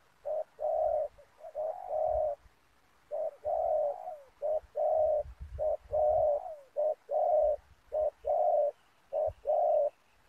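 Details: Spotted dove used as a decoy during snare trapping on the ground: a long sequence of evenly spaced low coos, roughly one per second, some drawn out with a falling tail, faint rumbling underneath.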